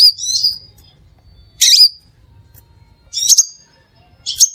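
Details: Crimson sunbird song meant to lure other sunbirds, with four spaced bursts of high buzzy twittering and sharp chirps separated by pauses of over a second.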